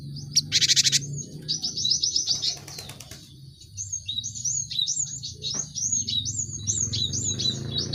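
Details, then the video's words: Cinereous tit song played to stimulate caged birds. Harsh chatter, then a long lively stream of high, repeated, up-and-down whistled phrases over low background noise. "Pancingan gelatik batu untuk merangsang burung ombyokan cepat bunyi"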